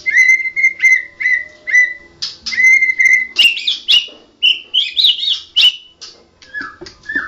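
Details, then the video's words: National champion white-rumped shama singing in the ngoceh ngerol gacor style: a run of repeated clear whistled notes on one pitch, then varied rising and falling whistles and sharp chirps in quick succession, with a faint steady hum behind. "Burung Murai Batu Juara nasional murai batu ngoceh ngerol gacor"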